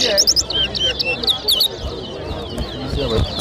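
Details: A towa towa whistles at a 2023 bird racing club competition in Lusignan, Guyana. It gives short, sharp, high looping notes in clusters early on, then softer warbles, while people talk in the background.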